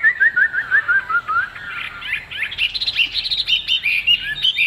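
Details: Caged Chinese hwamei, leaf-shaped-tail type, opening with a fast series of short repeated whistled notes, then rising into higher, varied slurred whistles.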